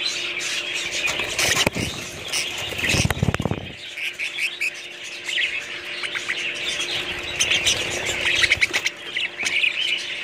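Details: Budgerigar flock keeps up busy high chirping and warbling while loud rustling and handling noises break in around the first few seconds; a faint hum lies beneath.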